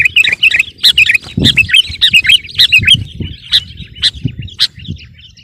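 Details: Sooty-headed bulbul pressing rivals in competition song: a lively, bubbling stream of short liquid warbles and sharp chips, loud at first and tapering off, with soft low thumps in the background.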